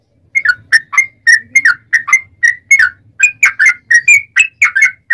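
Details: Long rapid 'ropel' song of a vocal yellow-vented bulbul, played to provoke other bulbuls into answering: rich warbled whistles, each note bending down then up, repeated in quick succession over a soft low hum.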